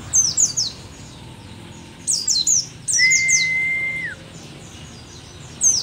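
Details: Old mountain white-eye of Merapi, said to be an endemic, rare local bird, singing eagerly: clusters of very high, sharp, falling chirps repeated every couple of seconds, interrupted once by a long, level, lower whistle.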